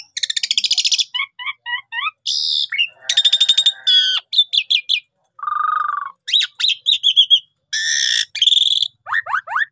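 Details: Gacor jalak suren used as a pancingan lure: buzzy bursts, paired chip notes, rapid rattling trills, a low nasal rattle, twangy notes and closing falling slurs from a Javan pied starling.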